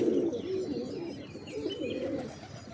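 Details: A strong, low pigeon coo opens, followed by softer murmuring coos from other birds and a few faint, high chirps.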